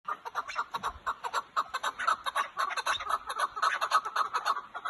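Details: Chukar partridge from Kazakhstan giving a fast, steady run of loud, hoarse chuck notes at mid pitch, roughly two per second, each note a short harsh burst, continuing without a break through the whole stretch.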